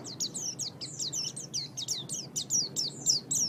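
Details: Pet oriental white-eye (pleci), training recording for songbirds: a continuous, busy stream of high twittering, slurred whistles, quick and overlapping, with noticeable background hiss and low rumble.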